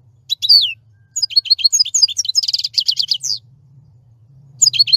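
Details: European goldfinch singing a fast, tinkling run of high twittering notes, including a rapid buzzy trill, broken by short pauses, with a faint low hum beneath.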